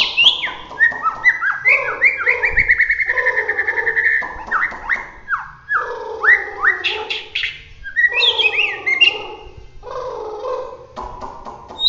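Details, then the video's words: Bahorok white-rumped shama, Medan, singing in roll tembak style: a long varied stream of sliding whistles, rapid rolling notes and harsh scratchy bursts mixed with sharp downward-sweeping calls. "suwara murai batu Bahorok gacor roll tembak"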